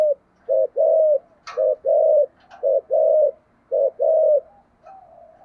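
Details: Thúc gù cooing by a spotted dove of the thổ sấm voice type, with low short-long coo pairs about once a second, a couple of brief clicks, and a softer trailing coo at the end.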